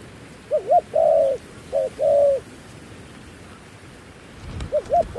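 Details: Decoy dove cooing to attract wild doves, two full phrases of short paired hoots and a long mellow coo, then a pause, a soft knock, and the start of another phrase.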